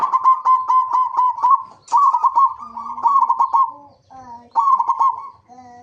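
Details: Zebra dove song used as a lure to make other zebra doves sing: long runs of rapid cooing notes, rolling and buzzy in places, with a fainter, lower dove call answering in between.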